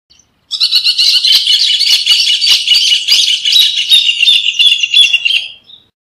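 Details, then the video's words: Rufous hornero (Furnarius rufus) singing a dense, loud, chattering trill of overlapping bright notes that holds strong for about five seconds, then fades and ends cleanly. "Hornero Canto - Rufous Hornero Bird Song"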